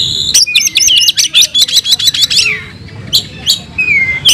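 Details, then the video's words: An oriental magpie-robin sings in fighting style with its filler repertoire, opening with a dense, fast series of piercing repeated notes, then sparse sharp chips and a drawn-out descending whistle. "Kacer gacor tarung bongkar isian"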